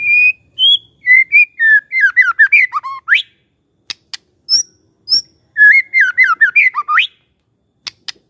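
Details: Magpie-robin song played as a lure to get a silent, idle bird to answer: loud, clear whistled phrases, some level and some sliding up and down, in rapid bursts, then sharp clicking notes and another run of warbled whistles.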